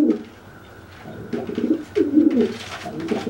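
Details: A pigeon coos at a wet companion that cannot fly after its bath; a short low coo, a pause, then a throaty rolling coo amid rustling.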